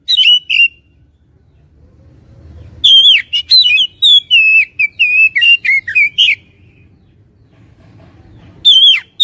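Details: Oriental magpie-robin lure song meant to provoke fighting spirit: a burst of loud, clear whistles and slurred notes, mostly descending, with a quiet pause between phrases and a short whistled phrase at the end.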